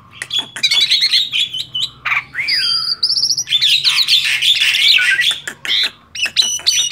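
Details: Tame male Asian pied starling in energetic gacor song: rapid clicks and chirps, a descending whistle, a run of quick high buzzy trills, then dense chattering and grating phrases with brief pauses.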